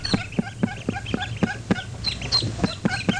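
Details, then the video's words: Mallard incubating hen at a nest site in the field, recorded by microphones at the nest, with her higher-pitched ducklings; low, rhythmic clucks about four per second mix with thin, high peeping from the ducklings throughout. "that's the incubating hen, and you can hear her ducklings, higher pitched."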